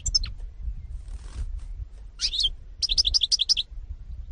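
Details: European goldfinch, 2018: a few high thin notes open, then a brief twittering phrase and a quick run of about six repeated bright chirps, over low background rumble.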